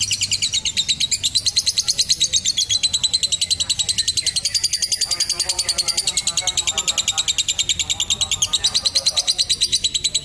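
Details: Extended lovebird ngekek for training young birds and tutoring. Rapid high-pitched chips run without a break for about ten seconds, loud and rhythmic throughout.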